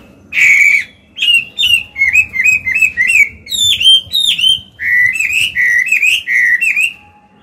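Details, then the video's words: Caged old Chinese hwamei with a wild 'forest voice', singing to train young birds and spur males: loud, rich whistled phrases, each note slurring down then up, delivered in quick rhythmic runs of about a dozen notes with brief gaps. "Họa mi già giọng cực hay, luyện bổi, kích trống hót hay"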